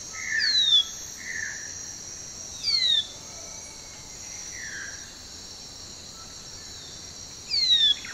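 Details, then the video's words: Manakin from Brazil: thin, high descending whistles come in three spaced bursts, mixed with softer lower slurred notes, while a constant insect drone runs underneath. "SUARA BURUNG MANAKIN YANG EKSOTIS DARI BRAZIL"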